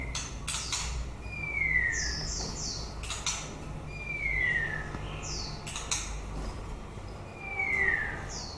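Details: White-rumped shama at the end of its breeding season, giving downslurred whistles every two or three seconds between short high chirps and sharp clicks, fairly soft against a steady low hum.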